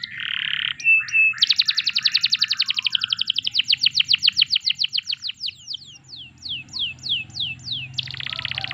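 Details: Canary song meant to get other canaries singing: buzzy opening notes, then a long rapid trill of repeated notes slowing into falling whistled swoops, closing with a dense buzz.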